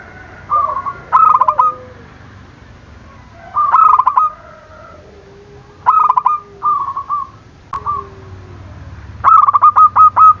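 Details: Zebra dove calling to draw rivals into answering; short bursts of stuttering, trilled coos about every two seconds, ending in a rapid run of clipped notes.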